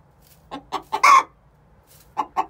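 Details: Egg song from a young hen, six months old, calling before laying: a few spaced clucks building to one loud drawn-out cry, then two more clucks after a pause.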